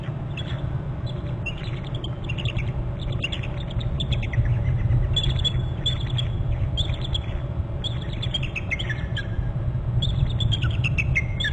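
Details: Bald eagles alerting at a nest on Hornby Island, one adult flying in to a branch; repeated high, thin chirping and chittering notes, series after series, over a steady low rumble of wind or background noise.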